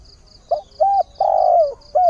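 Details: Phrase from a decoy spotted dove calling for a partner at daybreak: a brief note, a level coo, a long throbbing coo sliding down, and a final dropping coo, with faint high pulses throughout.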